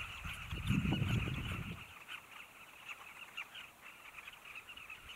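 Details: Carmine bee-eaters at Zambezi Mubala Lodge, Namibia, calling together in a dense chorus of short, throaty, rolling notes, with a low wind rumble in the first two seconds.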